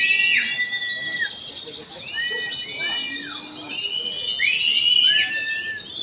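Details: Oriental white-eyes performing at a special practice contest, including wild-caught and vigorous singers: an unbroken bright, chattering high chorus with scattered drawn-out whistles, several swooping downward, amid light background murmur.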